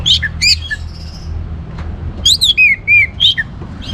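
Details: Orange-headed thrush in full, lively song, played to spur other birds into singing: bursts of sharp, varied whistled and chattering notes, some rising and some falling, with short pauses between them. A low steady hum runs underneath.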